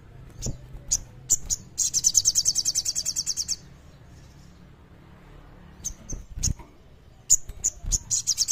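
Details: Common iora giving kleper-style song, clear and lively, meant to coax quiet birds into singing: sharp isolated chips, then a fast high trill of even pulses for nearly two seconds, followed later by more chips and the start of another trill.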